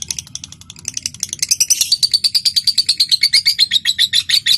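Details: Ngekek of a lovebird, a long chatter used to set other lovebirds singing: starts softly with scattered chips, then swells into a loud rapid string of shrill notes.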